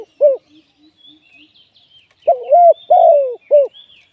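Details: Spotted dove working as a live trapping decoy: one soft lone coo, then a full phrase of short, long-falling and short notes. Other birds twitter thinly and high in the background.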